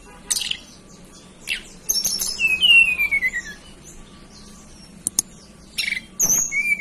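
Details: Hill blue flycatcher native to the Banten highlands. A high whistled phrase glides steadily downward, with scattered dry clicks and taps before and after it and a short rising whistle near the end.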